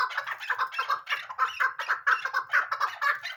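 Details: A female chukar calls in a dense series of hoarse chucking notes, repeated quickly and fairly regularly throughout.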